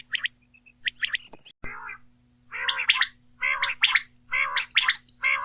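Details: Quail calls, used at night as a lure for hunting quail. Rough, buzzy double and triple notes are repeated in a loose rhythm, with a constant low hum beneath.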